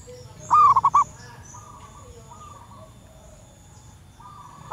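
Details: Wild local female zebra dove calling to males, a call used to lure wild birds: one loud burst of short, hollow, clipped cooing notes, then fainter similar phrases from more distant doves and a quiet background hum.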